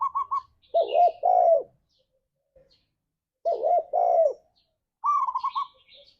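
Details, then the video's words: Lure recording of a spotted dove singing in the ngalas style: a quick higher stuttering run, then paired low mellow coos repeated after a pause, ending with another rapid run; a small bird chirps faintly above. "Suara Burung Tekukur Ini Pancingan Tekukur Gacor Suara Ngalas"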